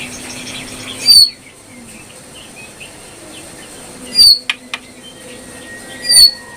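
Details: Brown prinia song: three loud, sharp high notes spaced about three seconds apart, each a brief bright chip with a downward sweep, over quiet background hiss and a low steady hum early on.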